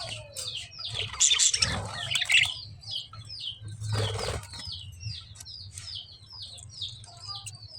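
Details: Wing flapping followed by lovebird chirping: a run of repeated, evenly spaced high downslurred chirps, with a low hum behind.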